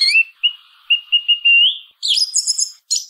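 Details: Song thrush singing: a clear whistled note rising then held, a run of short even whistles at the same pitch, then a burst of high scratchy twittering and a final squeaky phrase, all in a quiet setting.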